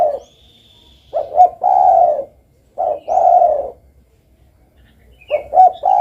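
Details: Spotted dove (derkuku) giving a three-part coo: two brief notes, then a sustained mellow coo that sags at the end. The phrase repeats about every two seconds, with a faint high whistle from another bird at the start.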